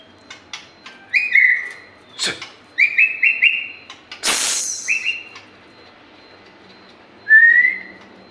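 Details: White-rumped shama in full, energetic song: short clear whistles held near one pitch, some sliding slightly down, broken by sharp loud clicks and a harsh burst, then a quiet pause before a final bright whistle.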